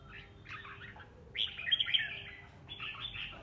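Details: Red-whiskered bulbul kept at home, sparring in song; several dense bursts of bright, rapid warbled notes, the loudest in the middle, over a quiet background.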